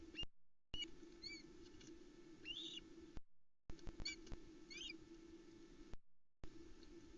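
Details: Hungry Ospreys crowd the male bringing a whole trout to their Loch Arkaig forest nest, 7 July 2020, 20:40, on the nest camera. Repeated high, slurred whistled chirps, some rising and falling, with breaks in the sound and electrical hum.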